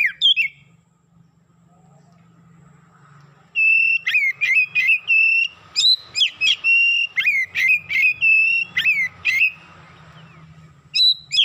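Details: Worked-up Oriental magpie-robin unloading its repertoire: after three quiet seconds, a dense run of loud whistles, each note level then snapping upward, repeated roughly three times per second, with a low background hum.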